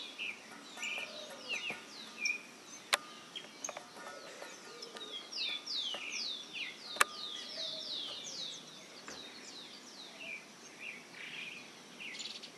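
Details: Campo flickers on a rural property near the Araucárias Gigantes reserve, Itajaí river headwaters, Itaiópolis, Santa Catarina, Brazil, give a loud, steady run of high, down-slurred ringing notes with two sharp clicks.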